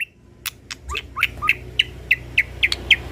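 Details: Agitated white-rumped shama, original unrepeated lure recording: sharp clicks, then a run of short bright chirps repeated about every third of a second, each with a quick downward slur, over a low steady hum.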